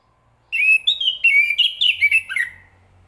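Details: Song of a chestnut-capped thrush: a run of about ten varied whistled notes, some rising, some sharply slurred down. It is delivered rapidly over two seconds, with a faint low hum underneath.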